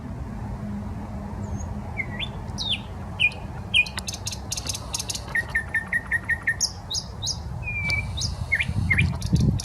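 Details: Common nightingale singing in the Smolenka park, Saint Petersburg: varied phrases of clear whistled upslurs, rapid repeated clicking notes and a run of evenly spaced short chips, over a steady low rumble.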